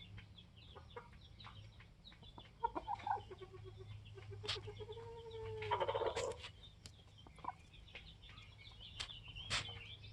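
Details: Polish layer hens, 21 weeks old, kept with a protective rooster: scattered clucks and a drawn-out, tonal squawk that holds steady, set over constant low background hum and faint chirping from small birds.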